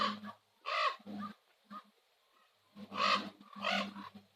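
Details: Common ravens at Nose Hill, Calgary, at sunset: four loud, hoarse, harmonic croaks in two pairs, with short gaps and a deep droning undertone beneath each call.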